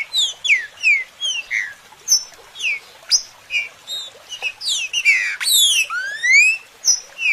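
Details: Green-winged Saltator song used as a stimulator song for other saltators: a fast run of bright, slurred whistles, mostly falling in pitch, with a few rising notes near the end.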